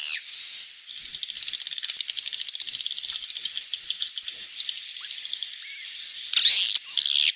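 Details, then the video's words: Swiftlet lure sound for evening roosting, used to call birds in at dusk: a dense, high, rapid dry chattering and clicking, with thin whistled notes and brief louder bursts near the end. "SUARA BURUNG WALET - INAP SENJA"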